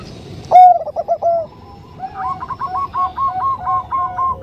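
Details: Soft-voiced Bangkok zebra dove, a female summoning a male. A loud opening coo tumbles into several rolling notes, followed after a short pause by a long run of fast, evenly spaced short coos.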